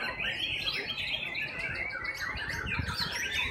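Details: White-rumped shamas singing at a bird-singing competition, session 7: dense overlapping high whistles and chirpy phrases from several birds, with a steady murmur of background noise.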